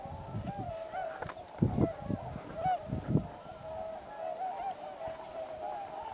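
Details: Large flock of tundra swans at Pocosin Lakes National Wildlife Refuge (Pungo Unit) during waterfowl migration keeps up a dense chorus of mellow, high hooting calls overlapping without pause, with low thumps of wind or handling noise.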